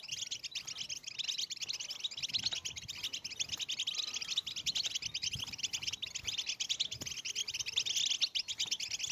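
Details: European goldfinch breeding-stimulation song: a continuous, crowded stream of rapid high twitters and tinkling chirps with no pauses, overlapping phrases giving a busy chorus-like texture over light background hum.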